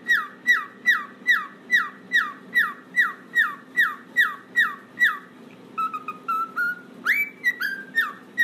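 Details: Pet cockatiel playing on a toy swing gives a long series of quick, falling whistled notes, about two and a half per second. A pause of soft chirps follows, then a rising whistle and more downslurs, over a faint constant low hum.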